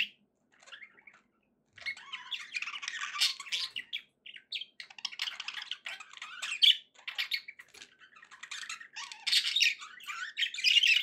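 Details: Pet budgerigars chatter after a near-silent opening, then keep up a long rambling warble of raspy squawks, clicks and thin squeaks in uneven bursts, loudest near the close; quiet background.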